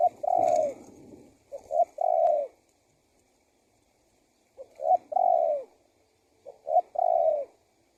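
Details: Spotted dove lure call, used to draw wild doves in and prompt them to call: low, mellow cooing phrases of two or three short notes, then one longer falling coo. Phrases repeat at irregular intervals several seconds apart, with faint background noise.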